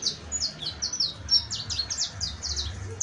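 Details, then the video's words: High, ringing saffron finch song: dense chains of short descending whistles and chips, some slurred together, packed tightly across three seconds with a soft low hum underneath. "CANTO DE CANARIO CRIOLLO EJEMPLAR [SICALIS FLAVEOLA]"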